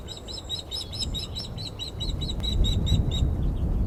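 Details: Osprey at the Glaslyn nest, a female unhappy at an unringed male landing on the perch, 14 April: steady run of high, piercing whistled chirps repeated about three times a second, fading out against rising wind rumble.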